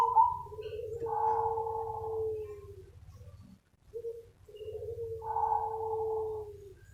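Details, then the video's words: Zebra dove lure call: mellow, low coos drawn out into long gently falling tones, two phrases with a short break between them, over a constant low hum. "SUARA PANGGILAN BURUNG PERKUTUT SUPER NUTUT AMPUH UNTUK PANCINGAN || ZEBRA DOVE"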